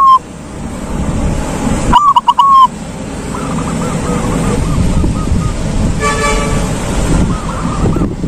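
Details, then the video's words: Silver zebra dove singing in the long ngalung style: one loud stuttered cooing phrase of quick notes ending in a drawn-out coo. A fainter dove answers in the background over steady low rumbling noise. "Perkutut silver jos suara ngalung bikin yg malas jdi ikut nyaut"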